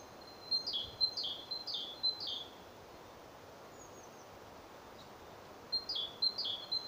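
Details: A great spotted woodpecker at its anvil gives sharp, high, clipped notes about twice a second in two short bursts with a quiet pause between, over faint outdoor background.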